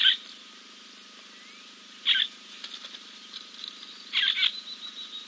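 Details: Preening after a dip at King's Camp on 2 April 2024, a Giant kingfisher gives three brief, harsh, scratchy bursts spaced about two seconds apart, with faint notes between and a steady background whine.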